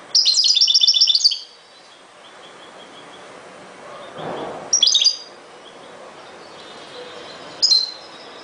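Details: European goldfinch, ghoroub song style: a fast jingling twitter at the start, then two short sparkling high bursts after quiet gaps with faint background noise.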